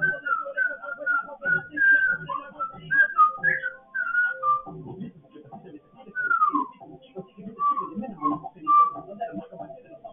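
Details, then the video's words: Freestyle rap attempt by a pet African grey parrot indoors: quick runs of short whistled notes, a few longer falling slides, and a brief pause, all laid over continuous low garbled talk-like babble. "My bird can rap better than some of these new rap artists you hear on the radio."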